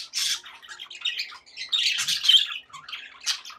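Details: Happy budgie chatter from caged pet birds: a string of short scratchy squawks and chirps in separate bursts, some louder calls standing out between quieter twittering.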